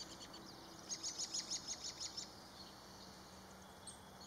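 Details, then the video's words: Black-capped chickadee, March 13th, 2022: a quick burst of about ten high, evenly spaced chips in two seconds, then quieter, over continuous hissing background noise and a faint low hum. "Black-Capped Chickadee"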